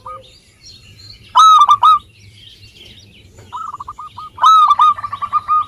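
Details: Zebra dove of local stock singing to encourage lazy birds: two loud, rich, rolling coo phrases and a series of short clipped notes, with faint chirps of other birds in the background.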